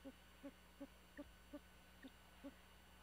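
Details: Great horned owl owlet murmuring at night around 2:19 in an abandoned bald eagle nest 75 ft up a dying pine, Skidaway Island, Georgia: soft, low hooting pulses in a steady series, about one every 0.4 seconds, over a constant faint hum.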